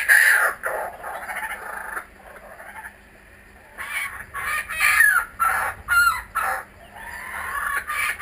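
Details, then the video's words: Kookaburras back at a home garden in Australia give harsh, cackling bursts of chuckles that rise and fall in rowdy pulses, broken by a brief quieter pause before the chorus resumes. "Our Kookaburras are back"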